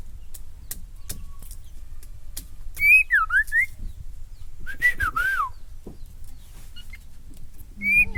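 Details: White-rumped shama from Kalimantan, said to be only half-trained, giving a few clear slurred whistles that rise and fall, in short phrases separated by pauses, over a low background rumble.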